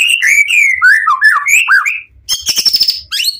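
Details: White-rumped shama, the Pastol PTRK BF bird, giving emotional song to lure other shamas into answering: a quick sequence of bright slurred whistles, then a buzzy rattling trill and a final rising note.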